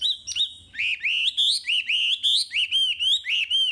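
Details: Chinese hwamei song for training caged birds: loud, clear whistled notes rolling up and down in a steady string, each note swooping and bending, repeated about three times a second with little pause.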